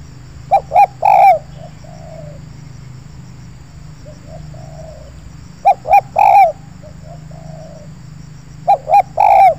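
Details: Spotted dove luring scene in an oil palm plantation. A loud bird repeats a three-note coo phrase about every four seconds, with softer distant coos between phrases and a low hum underneath.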